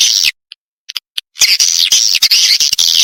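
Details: Kalimantan swiftlet: a loud, hissing buzz, a pause with a few faint ticks, then a long, continuous harsh buzzing chatter.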